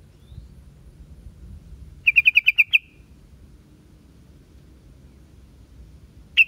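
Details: Yellow-vented bulbul, called trucuk, gives one crisp string of six bright chirps, then falls silent before a final note at the very end; faint low rumble underneath.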